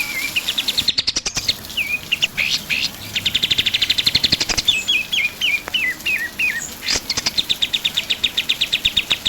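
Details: Pied triller singing hard, a tutoring recording for other songbirds: a short click early on, then long stuttering trills punctuated by a string of quick descending whistled notes, repeated in even sequences.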